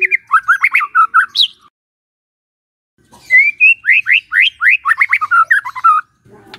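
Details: White-rumped shama song played in the morning to get a silent shama to sing: rapid bursts of rich whistled and slurred notes around mid pitch, a short pause, then a second fast rising-falling phrase series; no other sounds.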